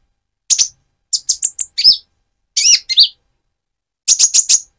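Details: Lively speckled Van Hasselt's sunbird calling as a lure to excite another bird: short groups of three to four very high sharp chirps and a couple of arched slurred notes, separated by silent pauses.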